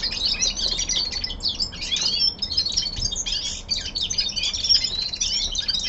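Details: A caged common linnet, young male in winter, sings a continuous stream of high twittering notes: scratchy chirps, short whistles and buzzy fragments tumbling together without pause.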